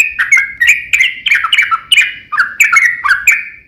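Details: Long rolling song of a sooty-headed bulbul, used as a lure so other bulbuls will sing back; a continuous stream of liquid, downward-slurred whistled notes delivered about three per second.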